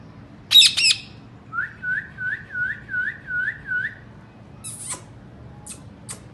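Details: Indian ringneck parakeet: two sharp, harsh chirps, then a series of seven soft, rising and falling whistled notes evenly spaced about every half second, followed by brief scratchy noises and clicks indoors.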